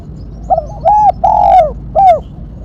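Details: Sharp-voiced spotted dove, a call meant for luring and training, delivering a tight coo phrase: a quick opening note, two long sustained coos, and a curt falling final note.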